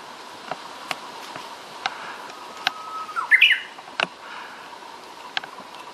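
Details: Japanese bush warbler seen singing among trees: a faint, long, steady whistle rises into a brief, quick twisting flourish near the middle, over a steady hum and scattered sharp clicks.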